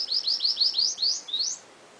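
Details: Seedeater kept in a cage delivers a rapid string of about nine high upslurred whistles, evenly spaced, ending with a longer note that starts lower and climbs steeply; no other sounds.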